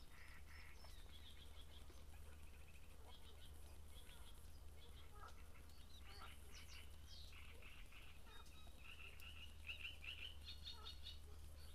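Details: Great reed warbler filmed at Grachevka during breeding, undisturbed footage: harsh, grating, chattering phrases of repeated rasping notes in bursts throughout, fairly quiet, over a strong steady low hum.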